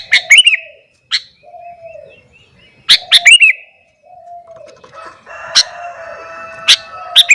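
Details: Sooty-headed bulbul singing in the morning to rouse other bulbuls: brisk, bubbly chirped phrases and single sharp notes, over steady low dove cooing and a brief buzzy mechanical sound.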